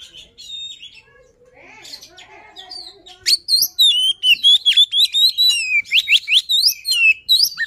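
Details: White-rumped shama giving luring song: soft, low warbling at first, then an abrupt loud stream of high, sharply sweeping whistled notes delivered in quick succession.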